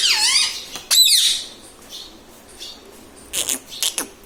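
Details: Pet Indian ringneck parakeet that talks, repeating mummy, papa and radhe radhe; a falling nasal phrase runs into a harsh shrill squawk, then quieter pause and two short raspy notes.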